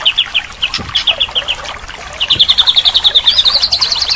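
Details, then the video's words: White-rumped shama (murai batu) training recording meant to restart a bird that has stopped singing, with rich fill-in phrases: a few brief high notes, then a fast even trill of sharp repeated chips that accelerates and ends in upswept whistles. "Masteran Terapi murai batu mogok bunyi"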